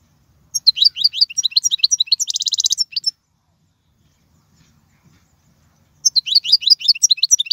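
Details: Song of a European goldfinch meant for tutoring young birds: rapid tinkling twitters build into a rasping buzzy trill, stop for about three seconds, then a new twittering phrase begins.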